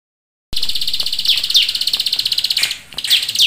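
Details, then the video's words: Bar-winged prinia singing: after a moment of silence, a loud, dense, buzzy trill of rapid notes, about four a second, with a few sharper downslurred accents mixed in. "Ciblek Sawah Gacor Full Nembak Keteran"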